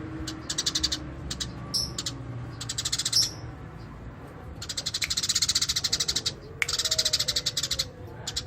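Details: Eurasian tree sparrow, natural ngerol song: scattered short chirp groups, one thin high squeak, then longer rolling runs of fast, buzzy notes near the end.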